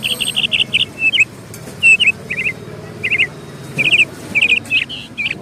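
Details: Bird chirping: bright high chirps in tight clusters of three to five notes, repeated every half second or so with short gaps, over a faint low rumble.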